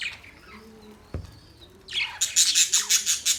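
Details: Budgerigar chirping: a faint, quiet start with one sharp click, then a sudden run of loud, rapid, buzzy chirps in the last half, pulsing several times per second.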